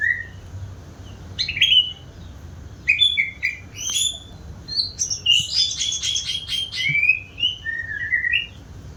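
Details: White-rumped shama, a keen singer, delivering mixed whistles and sharp high chips, a busy rattling passage in the middle, then falling whistled notes to close.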